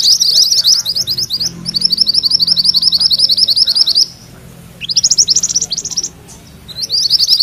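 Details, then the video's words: Mantenan kuning rolling song for magpie-robin tutoring: high chirps open into a long, even roll of quick repeated notes, followed by silence, a short rising burst, another pause, then fresh chirping. "Suara MANTENAN KUNING ngerol"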